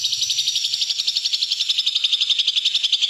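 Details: Greater green leafbird (cucak hijau) producing the 'sewing machine' fill-in: one continuous rapid high trill, about four pulses per second, steady and even for the whole stretch.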